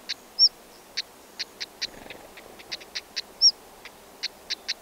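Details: A pair of black-headed stonechats feeding chicks in the nest gives sharp, hard ticking notes, two or three a second, with a couple of brief high chirps; the chicks fledged three days later into dense grass.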